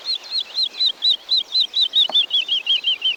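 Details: Forest-dwelling Woodlark recorded in Wielkopolski National Park in 1990, singing a long, steady series of rounded, slurred high notes, about four each second, each dipping slightly in pitch, with one brief click midway.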